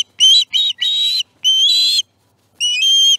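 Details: Osprey calling at its nest at breakfast feeding time, 18 September 2019: five loud, clear whistled notes, high and slightly rising, in a quick burst, then a pause and two more, with no other sounds.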